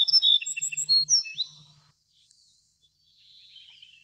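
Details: A little bunting gives a bright burst of high chirps and sharp rising notes, then falls quiet before a thin, faint high buzz near the end.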